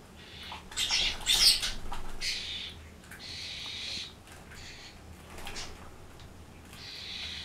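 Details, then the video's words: Common starlings (Sturnus vulgaris) make a noisy racket: a harsh chatter of overlapping high squeaks, clicks and rasping notes, coming in bursts every second or two. "Starlings making a noisy racket"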